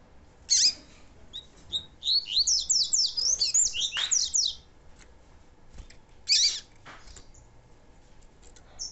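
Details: Tutor song of a chestnut-bellied seed finch for training young males, with a female present to encourage singing. A fast string of high, clipped downslurred notes runs roughly two and a half seconds, with a few isolated chirps before and after.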